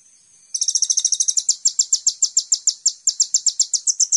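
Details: Training-master song of a sunbird (kolibri ninja), meant to lure caged songbirds into singing. Brief faint quiet, then a fast, dense high trill that slows into separate sharp chirps repeated several times per second.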